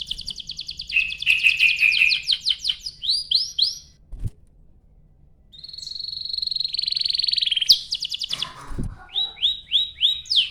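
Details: Canary singing long rolling phrases as a lure for other canaries: rapid trills, rising slurs, a sustained buzzy note after a short silence, and two sharp clicks.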